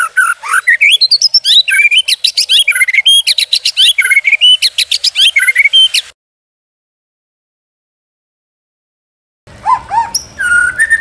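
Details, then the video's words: Murai batu, the white-rumped shama, in a tutor and lure recording: six seconds of dense, rapid chattering and sweeping whistles, then about three seconds of silence, then the jumbled song resumes. "MURAI BATU 100% MASTERAN DAN PANCINGAN"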